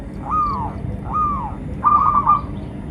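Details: [0.0, 'Local zebra dove song serving as a lure for captive and wild doves: two arched, rising-then-falling coos followed by a quick stuttering trill of coos, over a low constant hum.']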